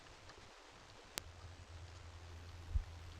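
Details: Quiet outdoor hiss with a low hum, one sharp click and a couple of soft knocks, and no animal calls.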